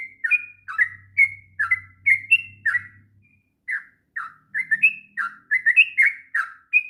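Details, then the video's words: Sooty-headed bulbul singing a long training song for young birds: quick whistled, slurred notes in runs, a brief pause near the middle, then faster bubbly phrases; a soft low hum underneath early on. "kicauan trucuk ngropel panjang...cocok untuk masteran trucukan bahan.."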